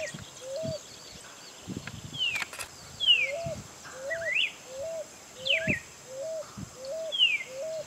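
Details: Pigeon or cuckoo, recorded 2018: short hooked whistles repeated steadily about every half second, while another bird gives loud descending slurred calls above and a few knocks sound below.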